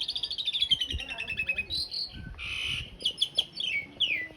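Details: Rough long-roll fill of an Asian pied starling master song for training cage birds: a long descending stream of fast trilled notes, harsh buzzy bursts and downslurred whistles over light background rumble.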